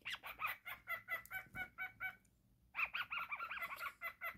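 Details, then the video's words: Singing while playing, a happy pet cockatiel gives a steady series of short harmonic chirps, falls silent for a moment, then bursts into quicker warbling, wavering notes. "Cockatiel singing and playing"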